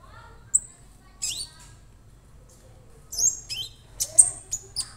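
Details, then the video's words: A young captive orange-bellied leafbird sings bright, high, sharp whistles and scratchy bursts in quick clusters, with a low hum in the background. "KONIN Bahan auto rajin"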